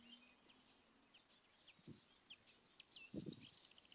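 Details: Marsh warbler back in spring in Kreis Plön, Schleswig-Holstein, Germany, 23 May 2020, recorded beneath a tree sparrow nest box: quick high chips and whistled slurs, with a low hum early on and low thuds nearby.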